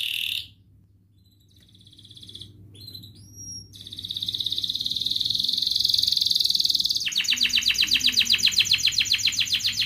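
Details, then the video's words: Canary in full song, a ngerek, mbarong, cuit cuit and ngerol style lure used to prompt lazy canaries to sing: a brief chirp, a quiet pause, a few thin rising notes, then a steady high rolling trill shifting into a faster buzzy pulsed trill. "Kenari gacor NGEREK MBARONG Cuit cuit NGEROL ini terbukti Ampuh untuk pancingan Kenari Malas BUNYI"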